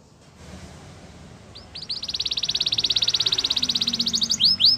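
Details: Belgian canary starting after a quiet, noisy pause with a few swooping notes, then a fast, rattling trill that steadily grows louder, ending in two loud swooping whistles over faint background hiss.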